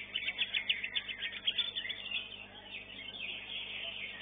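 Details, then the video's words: Greater green leafbird singing at a bird-singing contest arena, a fast run of high, bright chirps and trills repeated in quick bursts for about two seconds, then softer, denser twittering beneath a steady background hum. "CUCAK IJO"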